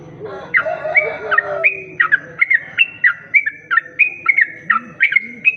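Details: Sooty-headed bulbul lure call for attracting other bulbuls: after a brief burst of harsh noise, a quick run of clear whistled notes that flick downward, repeated evenly, with faint low rising-falling whistles toward the end.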